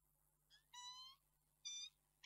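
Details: Peregrine falcon recorded at Reda, Poland, 11 March 2022: two fainter, short harmonic wails and a soft lead-in note over a low background hum, ending with the start of another call.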